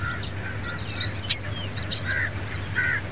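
Pied bushchat: quick, high chirps and short whistled notes in an uneven run, some overlapping. A steady low hum runs underneath.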